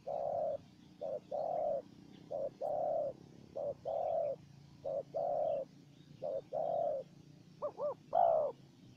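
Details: Wild spotted dove in a calling contest with a decoy bird, which it answered only briefly before flying off: a series of soft, mid-pitched paired coos, roughly eight over nine seconds, ending in a quick quavering, higher coo.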